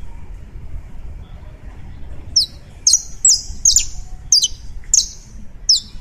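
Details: Colombian saffron finch singing: after two quiet seconds of low rumble, a series of about seven sharp, high, downward-slurred chip notes repeated roughly every half second, bright and clean.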